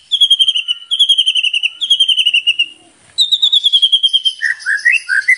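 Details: White-rumped shama singing a full repertoire as a lure: three long bursts of rapid high notes with a short gap after each, then a final burst, ending in lower rising warbled notes.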